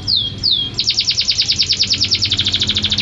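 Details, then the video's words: Champion canary song opening with two downward-sweeping whistles, then a rapid, regular trill of bright repeated notes, roughly three per second-fraction, running on without pause. "Suara Kicauan Burung Kenari Juara"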